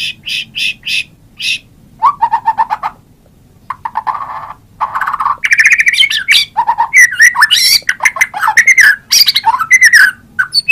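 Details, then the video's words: White-rumped shama in a long varied song: a few high notes, low rattling buzzy trills, then loud fluting whistled phrases with rising and falling slurs and fast chatter. "Kompilasi suara MURAI BATU terbaik 2017"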